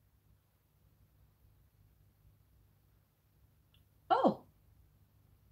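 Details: A near-silent indoor room with faint low hum and one brief breathy human sound.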